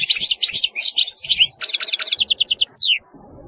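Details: European goldfinch singing a bright, rapid twittering phrase of high liquid notes, ending in an evenly repeated series of sharp chirps before falling quiet.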